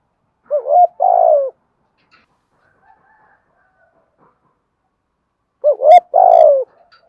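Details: Spotted dove female used as a decoy, calling to stir up males in the Thổ style with one 'hậu' ending. Two identical throaty, wavering coo phrases about five seconds apart, with a faint click near the second.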